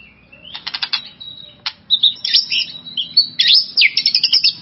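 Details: Provoking song of a white-rumped shama, used to raise another shama's excitement: a downslurred whistle, then dense chattering trills, sharp chips and high twittering phrases delivered almost continuously.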